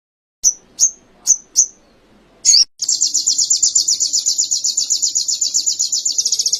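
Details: Canary-style song in an Indonesian training recording for cage birds: four high descending whistles, a short rasping burst, then a fast, evenly pulsed high trill running on.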